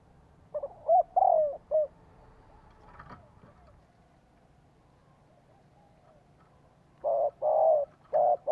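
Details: Spotted dove used as a decoy, calling to attract wild doves and stir captive birds to coo back: a phrase of clipped notes around a longer coo, a faint click, a long pause, then steady low coo notes resuming.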